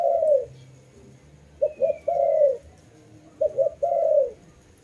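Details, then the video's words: Soft low cooing from a dove: three phrases, each a quick double note followed by a long smooth coo that slides downward, with quiet gaps between and a faint high whistle in the background. "Lovely dove/ lovey sounds"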